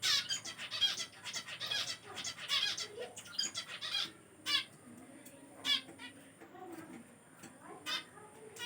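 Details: A Double Red Factor sun conure gives harsh, grating screeches in quick bursts, then fewer, sharper squawks.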